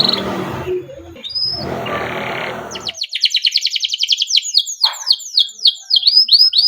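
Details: Canary song used to provoke other canaries into singing: after a few seconds of noisy rustling, a fast run of high, sharp chirping notes repeated several times a second, building into longer sweeping trilled phrases.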